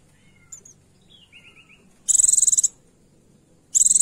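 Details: Female Oriental white-eye calling to attract a male and stir males into song: two short, high, rapidly pulsed buzzy trills about a second and a half apart, with faint thin chirps from other birds before them.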